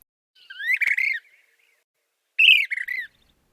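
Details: Brown-crested Flycatcher in an Arizona desert backyard in spring gives two loud, ringing, rolling "whit-will" phrases about two seconds apart, each rising then slurring down, burry and emphatic.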